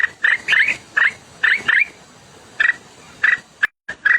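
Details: White-browed scimitar babbler calling: short, harsh chattering notes in clusters of one to three, each slightly rising, delivered irregularly about every half second with a short pause near the end, over a quiet background.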